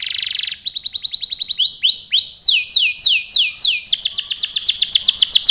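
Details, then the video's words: Canary singing a long, lively song: a fast rattling trill, then runs of rising and falling whistled notes repeated several times a second, shifting between phrases of different speeds, with a quiet low hum underneath. "Suara burung kenari gacor kicau panjang"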